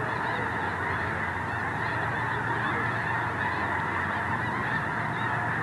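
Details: A huge gathering of geese at Squaw Creek National Wildlife Refuge, Missouri, on an overcast winter dawn with the refuge iced over; relentless overlapping honking, a low rumble underneath the chorus.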